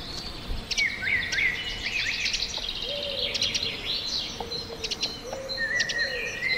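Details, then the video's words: Tiny wren chirping in the forest: rapid high twittering notes and quick upward slurs, mixed with a lower repeated whistled call from another bird in the background. "1 Hour Of A Bird (Wren) Chirping In The Forest"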